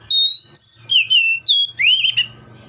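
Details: ['Seychelles magpie-robin delivering about six clear whistled notes in quick succession, flat at first, then dropping lower, ending in a loud upswept slur, with a faint low hum behind.']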